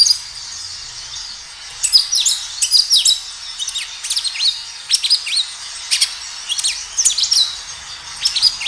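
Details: Natural recording of a kinoi singing vigorously, played to get kinoi to answer: a quiet opening, then rapid high chirps and downward-slurred whistled notes in short clusters.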